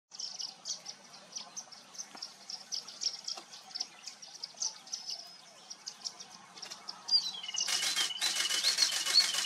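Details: Yellow-billed babbler calling at Hampi: a steady, thin, high chattering of quick chips fills most of the recording. It gives way to a loud burst of harsh, rasping, rapidly repeated churrs in the final two seconds.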